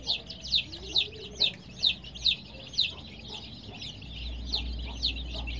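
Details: Colored baby chicks kept with added heat peep loudly; a run of strong, high, downward-slurred peeps comes about twice per second, then fades into a softer chorus as a low rumble rises.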